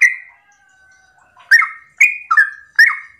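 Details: Yellow-vented bulbul, morning ropel song meant to provoke others to sing. One loud whistle fades into a faint, long, level tone, followed by three quick gurgling, slurred phrases.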